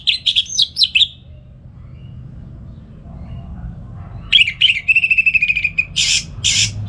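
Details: Orange-headed thrush morning song used for training other songbirds: a burst of varied whistled notes, a quiet gap, then a fast rattling trill ending in harsh buzzy notes.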